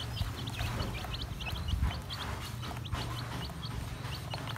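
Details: Baby chicks peep in brief high bursts while feeding. The notes are short and clustered over a loud, low background rumble and scattered knocking sounds.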